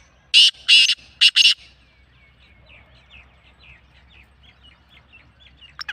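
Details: Black francolin giving a loud rasping call of four harsh bursts in two pairs, followed by faint chirping of other small birds.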